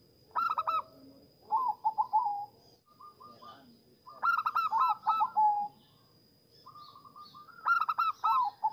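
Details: Zebra dove song for luring and stimulating other zebra doves. Rhythmic runs of staccato coos rise and then slide lower, repeating in phrases roughly every three to four seconds with short lead-in notes.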